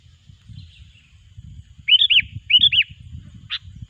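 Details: Sooty-headed bulbul lure song for trapping: two loud, bubbly, looping phrases in quick succession, then one sharp chip. A faint low rumble sits in the background.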